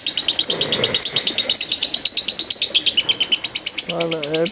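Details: Lovebird ngekek master recording: rapid, steady, high-pitched rattling chatter repeated several times a second throughout, with a person's voice heard briefly near the end.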